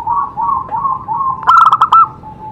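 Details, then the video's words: Zebra dove song meant to get other doves singing: a run of soft, rolling coos, then one loud burst of five quick, clipped notes. "Cocok untuk terapi semua jenis perkutut pasti nyamber"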